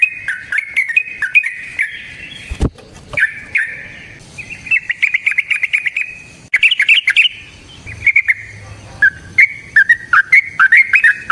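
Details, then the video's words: Energetic trucukan, or Yellow-vented bulbul, performing long 'ropel panjang' chatter used to lure other bulbuls into singing: rapid bursts of bright, gurgling notes separated by short pauses, with a sharp knock near the start. "Trucukan GACOR ngalas ROPEL PANJANG suara alam AMPUH buat pancingan"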